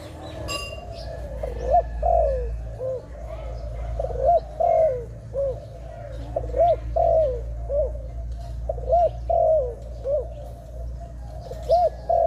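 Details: Dove coos in an outdoor trapping setting: repeated low, rounded cooing notes in loose groups, partly masked by a strong low rumble and scattered clicks and chirps.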